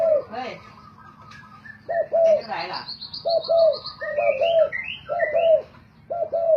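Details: Decoy spotted doves competing in song: repeated low paired coos, with bright rising whistles and chirps from other birds and a brief rustling noise.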